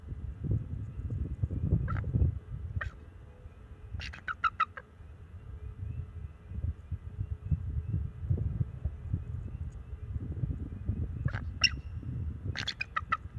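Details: At a nest cam on March 7, 2024, a young male bald eagle calls and flaps his wings to keep a perched owl off the nest: scattered bursts of thin, high piping notes over a steady low rumble.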